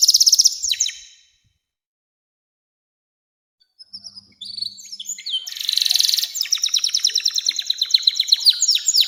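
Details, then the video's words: Canary singing to draw young canaries into song and to tutor birds: a quick high trill, a pause, then a harsh buzzy burst leading into long rapid runs of repeated notes. "SUARA KENARI NEMBAK PANJANG‼️cocok buat pancingan kenari muda dan masteran burung"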